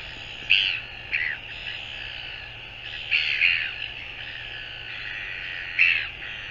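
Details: Northern royal albatross recorded 24 January 2022, giving rough, scratchy calls in short bursts, some doubled, with quieter drawn-out rasping in the gaps.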